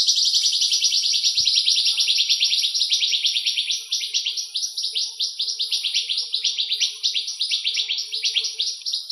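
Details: Western rock nuthatch song from the Greek countryside: a long, rapid trill of quick sliding high notes, briefly softening near the middle, then continuing in fast runs of slurred repeated notes.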